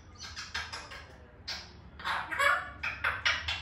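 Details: A Grey parrot making its natural sounds gives a rapid series of harsh, rasping squawks and chattering notes, broken by short pauses, with quiet background hum.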